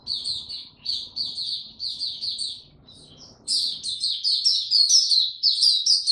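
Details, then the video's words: White-eye singing in warm, very humid weather on 26 March 2022. Rapid runs of bright, high chirps in clipped bursts, then a louder, denser stretch of jumbled twittering. A faint low hum sits underneath. "Mata Puteh Hercules buka sing warm n very humid weather"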